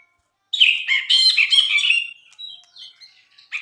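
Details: Brinji bulbul singing in a master tutor recording for songbirds: a burst of harsh, buzzy, harmonic-rich chattering notes for about one and a half seconds, then softer scattered high whistles and chips.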